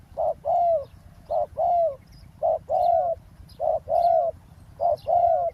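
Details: Spotted dove cooing beside a road during decoy trapping on the ground: strong repeated phrases, each a brief clipped note followed by a longer soft falling coo, about five phrases in quick regular succession, low rumble behind.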